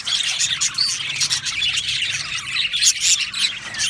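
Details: Crowded budgerigar aviary, birds singing and chirping with clear whistled notes poking out of a thick background of twittering chatter.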